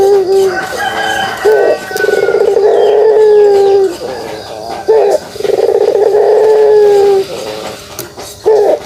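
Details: Kugeruk call of a pelung dove: three long, low, sustained rolling coos, each opening with a short rising note and lasting close to two seconds, separated by brief pauses.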